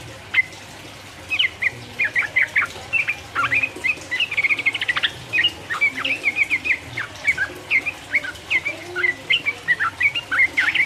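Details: Sooty-headed bulbul in 'ropel uplik uplik' style, sung to goad rivals: a long, busy run of sharp chirping whistles, quick and somewhat irregular, with brief gaps and a few louder accented notes.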